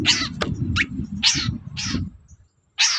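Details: Long-tailed shrike singing in the morning to provoke other birds into answering; loud, harsh, scratchy bursts in quick succession, then a brief pause and another rasping burst, over a low rumbling background.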